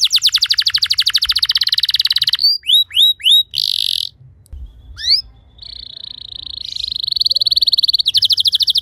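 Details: Canary training song for other canaries: fast buzzy trill, a few curved whistled notes and a harsh burst, a gap with sharp upward notes, then a long steady tone followed by rapid trilling.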